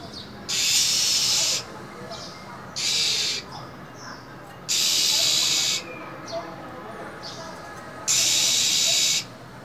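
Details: Female than songbird kept in a cage, in a cold winter, hissing repeatedly to stimulate a male: four loud breathy hisses about every two seconds, with faint high whistles in the gaps.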